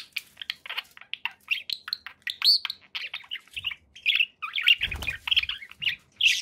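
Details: Pet budgies give a busy series of brief chirps, clicks and warbled squeaks, building into denser chatter toward the end, with a soft low rumble midway.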